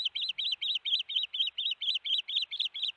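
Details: Osprey call series recorded at Hellgate during a fish delivery to the nest, June 13, 2018, late afternoon: high, slightly slurred whistled chirps, evenly spaced and about two per second, unbroken throughout.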